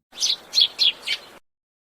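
A sparrow gives four short, bright chirps at about three per second, high-pitched and slightly buzzy, with nothing else heard.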